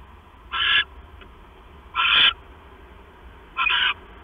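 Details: Owl pair at night, 10:52 PM, 6 September 2015, male arriving with a mouse for the female: three coarse, hissing screeches, each about a third of a second, spaced around 1.5 seconds apart, over low background hum.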